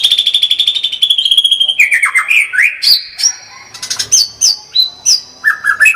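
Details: White-rumped shama in full gacor tembakan song: a steady buzzy trill fades into jumpy rising and falling whistles, then sharp clipped notes and high, brief whistles repeated about three times a second.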